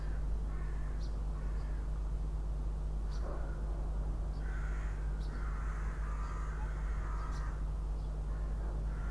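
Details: Incubating Northern goshawk pair's nest in Riga, Latvia, 6 April 2016: scattered nasal calls become a longer, louder run of strained notes midway, with brief high clicks and a constant low hum throughout.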